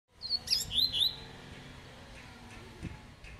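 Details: Double-collared seedeater singing the tui tui song style, called a spirited bird: a quick burst of high sharp chirps and a slurred whistled note in under a second, then faint background hum and clicks.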